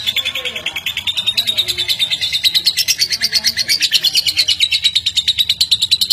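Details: Lovebird chattering to provoke other lovebirds: rapid high chirps, around six per second, climbing gradually in pitch across six seconds and staying loud and regular.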